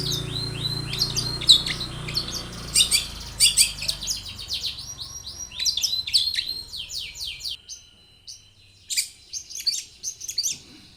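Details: Long-tailed shrike in vigorous full-variety song, used as a lure to prompt other shrikes to sing: dense bursts of harsh, scratchy, downward-sweeping high notes, thinning out after the seventh second into scattered phrases, with a low hum underneath.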